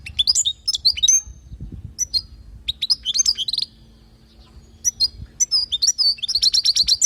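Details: European goldfinch recorded in Palestine as a song lesson for fledglings: bright high twitters and short whistles in phrases, a brief pause, then rapid repeated chirping notes toward the end over low background hum.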